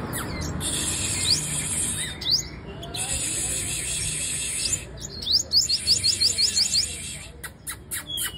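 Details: Female sunbird singing: high, thin chirps scattered at first, then a rapid run of about nine sharp high notes, then a few more chirps, with a soft low background murmur.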